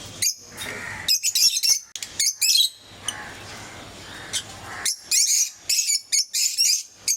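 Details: Lovebirds of various colour mutations kept at home, making clusters of piercing high chirps and squeaks separated by a quiet stretch, then renewed rapid calling, over a steady low hum.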